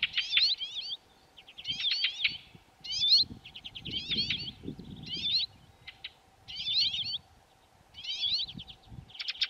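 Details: High buzzy song of a water pipit in the Czech Hrubý Jeseník mountains, delivered as repeated short bursts of rasping, wavering notes about once a second, with faint low rumbling behind.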